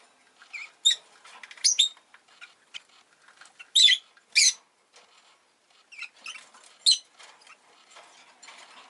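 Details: Indoor rosy-faced lovebird near a freshly laid egg, making soft rustling and pattering noises broken by several brief shrill chirps, loudest in a pair near the middle.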